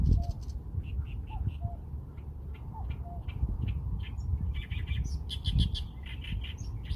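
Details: Small bird chirps, evenly spaced single notes at first, then a livelier stretch of high twittering toward the end, with faint low whistles and constant low background noise.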